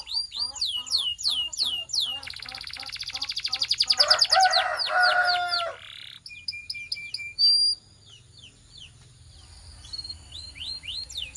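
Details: Singing canary in a training song: rapid repeated falling notes, then an accelerating rolling trill that grows louder and broader, lower warbled rolls, sharp high whistles, and a pause before scattered high chips and sweeps.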